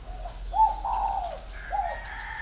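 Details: Spotted dove kept as a perched decoy bird with a whistle-like voice, giving low mellow coos: a short lead-in note, then a longer drawn-out falling coo and a further clipped coo, with a steady high hiss behind.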